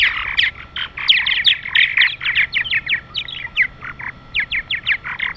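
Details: Many purple martins coming in to roost for the night chatter together in a busy stream of overlapping gurgling chirps and short squawks, several each second; in late summer they gather in huge flocks before migrating to South America.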